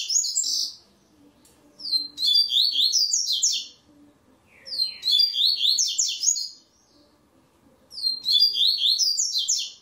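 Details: Double-collared seedeater in a web singing tournament, third stage. It repeats loud high phrases of quick slurred and buzzy notes, each about 1.5 seconds long, at intervals of roughly three seconds. There are faint low background sounds.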